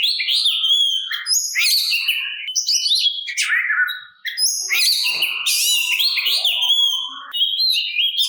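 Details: Oriental magpie-robin, a kept bird, singing to provoke rival magpie-robins into answering and to rouse fighting spirit: a rich, varied stream of whistled phrases, rapid chirps, buzzy notes and sweeping slurs, nearly continuous, with one brief pause midway.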